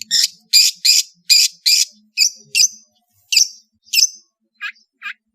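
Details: Long-tailed shrike from Madura giving a master song: loud harsh buzzy rasps in a quick series, then scattered sharp chirps and two short lower whistled notes.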